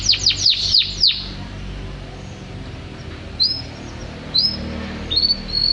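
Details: Champion canary giving a quick burst of high descending trilled notes in the first second. Isolated short rising whistles follow after a pause, over faint background hiss.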